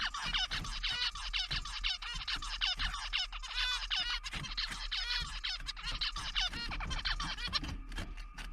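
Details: Male zebra finch in a lab sings its courtship song, with a dance, on seeing the female: a fast run of nasal, buzzy, harmonic notes and squeaky chirps, about two per second, over faint room hum.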